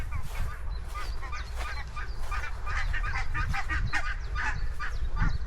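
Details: A flock of geese calls continuously on open grassland, dense overlapping honks, some with upward or downward inflections, over low wind noise.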